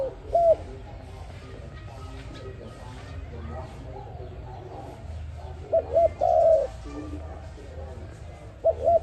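A dove gives short, soft hooting coos, one early, then a quick cluster of three near the end and another at the close, over a steady low rumble.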